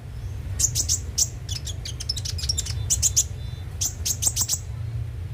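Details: Brown-throated sunbird (konin) song used as a lure to make kept birds sing daily: sharp high chirps and clicks in rapid bursts, with brief thin whistles, over a steady low hum.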